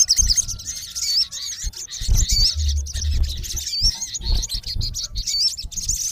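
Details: Male olive-backed sunbird (sogon) calling a rival in natural habitat: thin, high, twisting chirps and squeaky notes in irregular bursts, over low rumbling background thumps.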